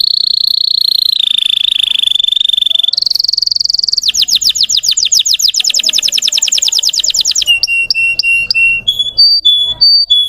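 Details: Russian-type canary song used to excite other canaries: long steady whistled tones stepping in pitch, a fast trill of sweeping notes, then spaced short whistled notes.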